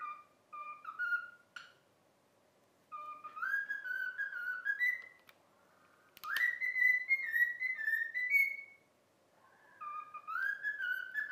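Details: Pet cockatiel singing the learned melody "If You're Happy and You Know It": repeated phrases of stepped whistled notes with pauses between lines, one sharp click, and a final rising phrase.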